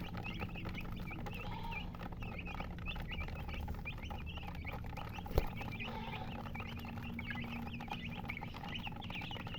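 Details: Chickens, described as colored hens, chirping: dense, continuous high peeping notes, short and often rising, overlapping throughout with no pause, over a steady low hum and a single sharp knock near the middle.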